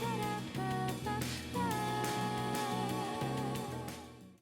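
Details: Upbeat instrumental music with a wavering lead melody over steady chords and percussion, fading out at the end; no animal sounds.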